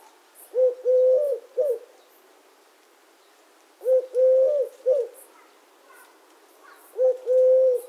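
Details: Eurasian collared dove repeating its soft triple coo, a short lead-in, a long sustained note and a brief drop at the end, three phrases spaced about three seconds apart, quiet in between.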